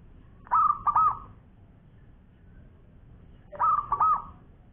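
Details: Local zebra dove of champion quality, singing actively in the long-voiced style: two phrases of soft, rounded cooing notes, each phrase two linked coos, about three seconds apart, over a faint low background hum.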